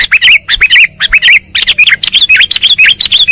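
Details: Sooty-headed bulbul lure call for trapping: rapid, steady chattering chirps, about two each second, bright and downslurred, with a faint high tone in the background.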